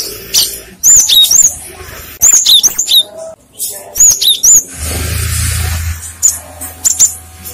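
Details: Cinereous tit calling to lure others, which answer: crisp high chirps and rising whistles in bursts, then a stretch of low hiss and hum with a few scattered notes.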